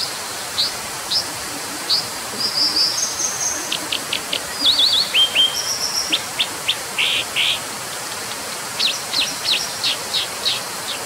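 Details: Varied high song of a brown dipper: sharp chips, fast buzzy trills and sustained thin whistles strung into long, lively phrases with brief gaps, carried over an even, noisy hiss throughout.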